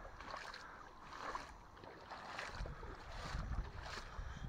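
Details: Soft, swelling gusts of wind and low rumbling handling noise during morning chores, with no animal voices.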